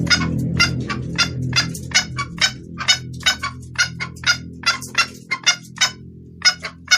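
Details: Female red junglefowl, wild type, calling to attract a male; a clear voice used as a lure. Short harsh clucking notes repeat rapidly, roughly two per second, broadband and uneven in spacing, over a low steady hum.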